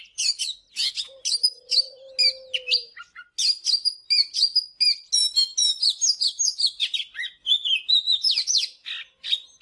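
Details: Singing in the morning, an Oriental magpie-robin pours out sweet whistles, trills and rapid chatter for song training; a low smooth sustained tone sounds briefly near the start.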